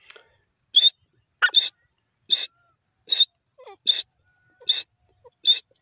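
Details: Grey francolin pair, called teetar, giving short harsh squawking notes spaced roughly every 0.8 seconds, with faint scattered chirps in between.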